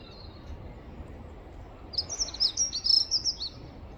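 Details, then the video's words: Female pied bushchat calling, a quick run of thin, high twittering notes lasting about a second and a half, over a steady low background rumble. "Pied bushchat bird call | Pied bushchat female | female Pied bushchat call"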